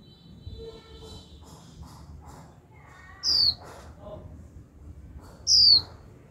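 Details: Female Japanese white-eye kept as a cage bird, giving 'chíu' calls to stir a male to sing: two loud, high, falling whistles about two seconds apart, with faint chatter and other soft sounds.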